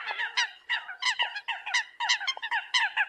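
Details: Eurasian coot flock call, a chattering string of hoarse, nasal honks delivered quickly in clusters by more than one bird.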